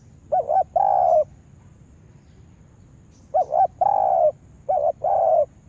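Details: Trained decoy spotted dove at a yard trap coos: one phrase, a two-second silence, then two more in quick succession, each a brief warbled double note leading into a sustained soft coo; no other sounds.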